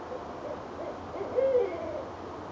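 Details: Owls calling back and forth from high trees in Richmond, Virginia, on 8 January 2012: a soft, low hoot, a brief steady note around the middle of the clip, with fainter hoots around it against a quiet background.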